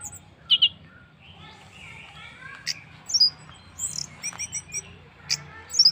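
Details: Orange-headed thrush singing as a lure to set other birds singing. Sparse, scattered high whistles and thin sharp notes are separated by gaps, heard against a soft background hum.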